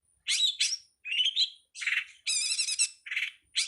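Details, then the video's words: Long-tailed shrike song from a master recording for training songbirds: varied high chattering phrases, buzzy trills and short whistled slurs alternating with brief pauses. "suwara masteran burung cowet/codet/pentet"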